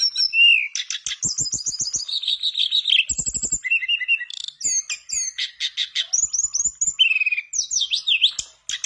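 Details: Continuous song of a mangrove blue flycatcher singing energetically to coax other birds into song, running through sliding whistles, high descending notes and rapid buzzy chattering trills with hardly a break.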